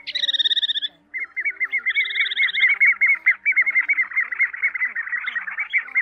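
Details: Pacific golden plover calls, used as a lure for night net-trapping of migrating birds in August 2024: a brief buzzy trill, then a steady run of quick, slurred whistled notes, two or three a second, over a faint low hum.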